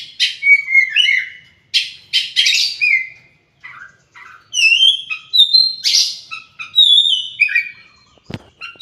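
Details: Oriental magpie-robin (kacer) in varied song, mixing rich whistled phrases, rising and falling slurs and rough chattering notes, with short pauses between bursts.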